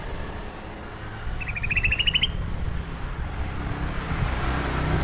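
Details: In the morning, a female long-tailed shrike used as a lure for caged birds gives short bursts of rapid, harsh rattling notes separated by pauses, over low background rumble.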